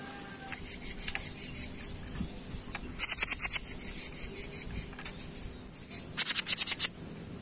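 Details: Training recording of a jenggot bird for songbirds: thin, very high chirps run in quick series, with loud bursts of rapid, sharp, trilled notes at about three seconds and again near six seconds, and faint background hiss.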